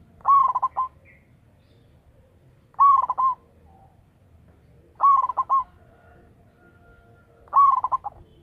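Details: Local zebra dove with a big voice, recorded for luring, repeating its coo phrase four times roughly every two and a half seconds. Each phrase is a burst of rapid pulsed notes finished by a drawn-out tone.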